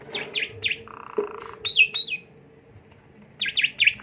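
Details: Asian pied starling song played as a lure to stimulate a bird: three quick sharp chirps, a flat buzzy drone, two downslurred whistles, then another run of three bright chirps.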